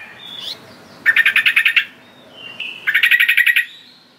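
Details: Sooty-headed bulbul calling to lure wild birds: two bursts of quick, evenly repeated chattering notes, each lasting under a second, separated by soft thin whistles.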